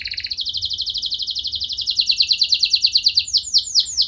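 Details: Canary in strong, prolonged song with a rich, varied pattern, meant to stir other canaries to answer: a fast high buzzy trill, then rapid repeated notes, ending in clear sliding whistles.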